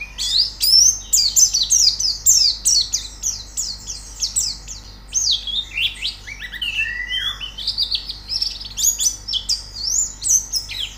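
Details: White-eye training song: fast, energetic high twittering with repeated downslurred chirps about twice a second, plus a mid-phrase burst of lower falling notes, all clean over faint background.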